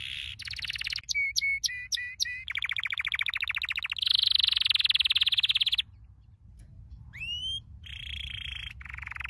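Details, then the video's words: Canary training song, dense and varied: rapid rattling trills, clipped high chirps and a long buzzy roll, a brief pause, then rising slurred whistles and further trills. "Your canary will NEVER STOP SINGING With this training song"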